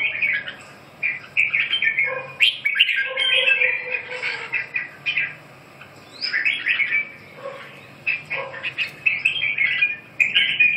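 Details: Red-whiskered bulbul singing in repeated bursts of chattering, warbled notes, with a continuous low hum and some softer lower notes beneath.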